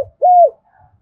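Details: Single arched cooing note of a spotted dove, a call used to lure wild doves into answering; smooth, slightly rising then falling, followed by silence.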